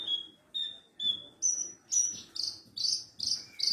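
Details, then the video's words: Javan bush lark song used as a tutor for training other caged larks: clear drawn-out whistled notes, each about half a second, repeated steadily and stepping from a mid pitch up to higher, brighter whistles, over faint low background hum. "MASTERAN BURUNG BRANJANGAN PARVA"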